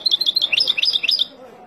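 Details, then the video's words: Wild European goldfinch singing for young birds to learn from: a quick, continuous string of liquid twitters and rising-falling chirps for about a second and a quarter, then quiet. "تغريد طائر الحسون البري لتعليم فراخ"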